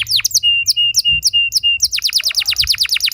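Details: Canary singing as a training lure for young birds: sharp downward-swept notes alternating with short flat whistled tones, then a fast run of repeated falling chips.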